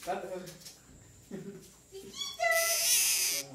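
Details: Pet baby parakeets learning to fly give a harsh, rasping screech lasting nearly a second after a short rising tonal note, with a person's voice talking quietly earlier.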